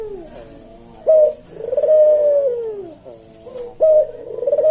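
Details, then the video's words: Puter jawa dove giving slow, spaced 'kuk deruk' coos, recorded as tutor material for caged birds: a sharp short opening note, then a drawn-out mellow coo falling away, repeated after a pause. "Burung puter jawa kuk deruk manggung merdu suara SLOW SENGGANG"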